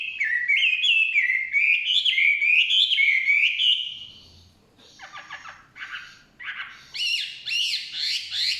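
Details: Chinese hwamei in forest giving a loud run of repeated rising whistled phrases, then a pause, a burst of scratchy notes, and high warbled notes repeated at a steady pace.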